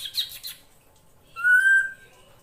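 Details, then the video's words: Drongo female calling to attract a male: a short burst of noisy chatter, a pause, then one smooth, slightly rising whistled note held for about half a second. "SUARA BURUNG SRIGUNTING BETINA UNTUK MEMANCING SI JANTAN AGAR CEPAT GACOR"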